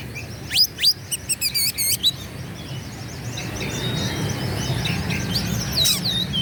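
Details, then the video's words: Oriental magpie-robin in energetic song used to rile rivals; a quick burst of sharp upward sweeps and rapid looped whistles in the first two seconds, then only faint distant twittering over a low hum. "KACER GACOR LAWAN PASTI NGAMUK EMOSI NARUNG BUKA EKOR"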